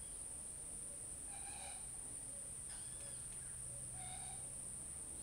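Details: Great kiskadee, known locally as Bem-te-vi, by a wetland at REGUA, Brazil, on 28 May 2012: three faint, harsh, harmonic call notes about a second apart, over a steady high-pitched whine and a low rumble.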